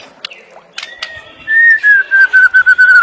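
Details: After a few quiet chips, a white-rumped shama delivers a bright, pure whistle broken into short, rapidly repeated notes that descend slightly, loud and clean.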